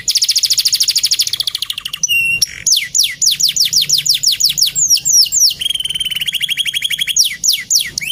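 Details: Male canary in full song: fast rolling trills of repeated notes high in pitch, a steady buzzy roll, then rapid series of sharp downward-sweeping whistled notes and a lower rattling trill, continuous and loud.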